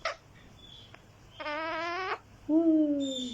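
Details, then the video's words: Green talking parrot gives a brief sharp note, a sustained buzzy vibrating call, then a smooth long call sliding slowly downward. "Talking Parrot green"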